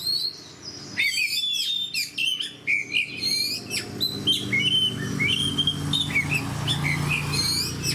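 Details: Oriental magpie-robin in full fighter-style song, with rapid chattering bursts giving way to sweet drawn-out whistles and rising slurred notes over a soft low background rumble.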